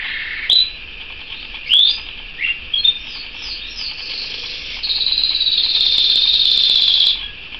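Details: Canary singing: a few separate slurred whistled notes and quick upward-swept chirps, then a steady, bright, high rolling trill held for about three seconds, with faint background hiss.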